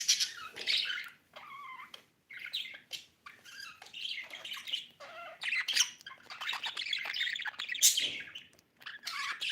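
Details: Pet budgerigar chattering in a rapid warble: squeaky chirps, buzzy clicks and short whistled notes in bursts, broken by brief pauses near two and seven seconds. No other sounds stand out.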